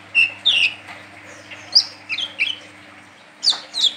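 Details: A brown-throated sunbird (Anthreptes malacensis) gives sharp, high chirps and short twittering notes in loose bursts, about eight notes in four seconds, over a faint steady hum.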